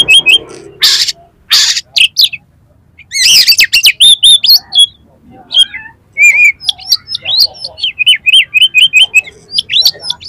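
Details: Competition oriental magpie-robin in full song: loud harsh bursts, then fast twittering rattles and a long run of repeated rising whistled notes near the end.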